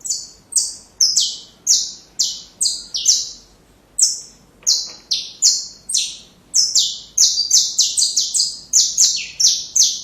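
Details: Saffron finch tutor song for young birds, a long lively sequence of sharp, high, downslurred chirps, speeding up into a dense rattling run near the end.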